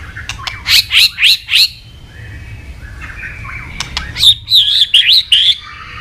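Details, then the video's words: White-rumped shama singing a full, varied song; loud rapid bursts of sweeping whistled notes in two runs of four to five, separated by a quieter buzzy phrase, over a steady low hum. "Murai batu gacor isian super lengkap"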